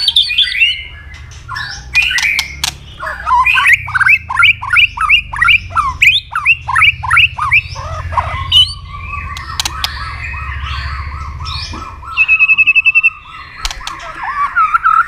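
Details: Fighting song of a white-rumped shama, sung to provoke rivals with tail-snapping: a fast series of about a dozen repeated sharp down-slurred notes, then a long steady whistled tone, with scattered sharp clicks.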